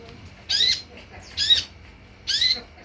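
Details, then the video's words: Three harsh, scratchy high notes with a descending lower slur, evenly spaced about a second apart; an olive-backed sunbird lure meant to provoke birds into answering. "SUARA PANCINGAN DAN MASTERAN UNTUK SEMUA JENIS KOLIBRI YANG AMPUH MEMBUAT KONIN NYAUT DAN IKUT GACOR"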